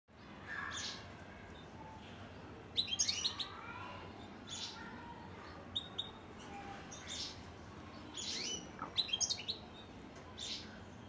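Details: European goldfinch singing: scattered bright, high twittering notes and short tinkling bursts over a steady background hiss, with louder clusters near the third and ninth seconds.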